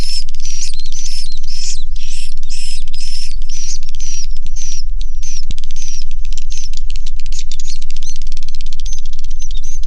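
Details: Swiftlets inside a swiftlet house give rhythmic buzzy chirp bursts with high whistles, turning into a fast rattle of clicks midway, all over a steady low rumble.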